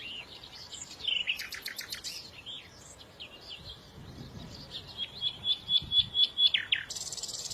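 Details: Several small birds calling together: a burst of loud descending chirps, assorted soft whistles, then a thin high trill and a series of louder sharp notes near the end, with a hiss at the close.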